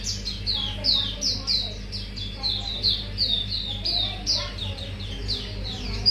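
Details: Mangrove whistler song used as a lure recording: a long run of short, clear whistled notes, each sliding downward, delivered rapidly over a steady low hum.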